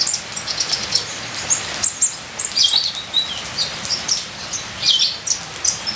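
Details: Ninja sunbird song: scattered bright, very high chirps and short trills in loose bursts, with gentle rain hiss throughout.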